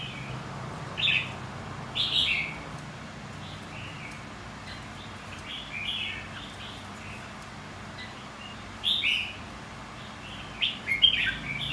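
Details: Red-whiskered bulbul, white-cheeked type, singing in contest style: repeated short, chirpy whistled phrases at about one, two, nine and eleven seconds, bright and slightly buzzy, separated by quieter pauses.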